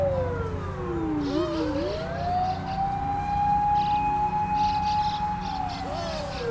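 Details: A loud wailing siren rises and falls over a rumble of traffic, with no clear animal call.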